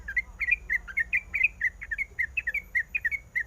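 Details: Female sooty-headed bulbul calling the male, described as in breeding condition: a lively series of short, bubbly two-note whistled phrases, rising and falling, repeated about every quarter second with little pause.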